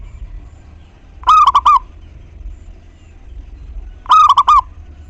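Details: Local zebra dove in full song, a lure that stirs other doves into singing: two quick bursts of four or five bubbling, coo-like notes about three seconds apart over a low, steady background hum.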